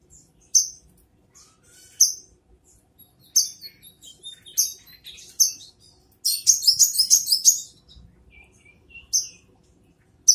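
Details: Brown-throated sunbird giving sharp high call notes spaced one to two seconds apart, then a brief rapid twittering burst before the single notes resume.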